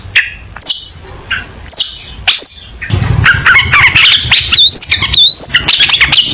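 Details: Long-tailed shrike song meant for teaching young shrikes: a few sharp separate whistled upslurs, then a dense, loud stream of rapid warbling, chattering and sweeping whistles.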